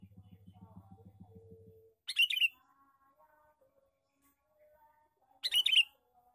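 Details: A male sooty-headed bulbul repeats its lure call twice, each a brief, bright flurry of squeaky chattering notes about three seconds apart, after a pulsing low hum fades out.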